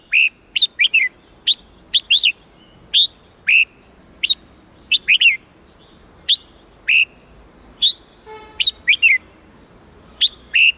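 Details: Red-whiskered bulbul song of the 8-9-10 note wild style, used to train young birds: short bright whistled phrases repeated irregularly throughout, with a brief buzzy harmonic note near the end and quiet background hiss.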